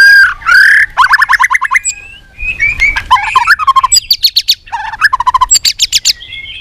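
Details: Contest-trained white-rumped shama, singing a fighting song in many voices: fast rattling trills of repeated clipped notes alternate with slurred whistles and chattering bursts, delivered loud and continuous with barely a gap.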